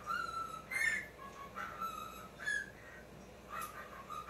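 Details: Indoor pet male talking cockatiel reacting to his own image on a screen, filmed by phone in poor light; warbling whistled phrases with rising and falling notes, repeated several times with short pauses.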